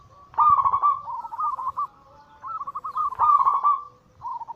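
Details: Perkutut, the zebra dove, in its anggungan song for provoking other doves to sing: a loud rippling coo, a softer answering trill, then another strong stuttered phrase and a short final burst.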